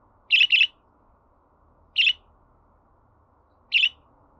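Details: Budgerigar sounds for prompting a pet budgie to sing: a loud double chirp followed by two single sharp chirps spaced evenly about one and a half seconds apart in near silence.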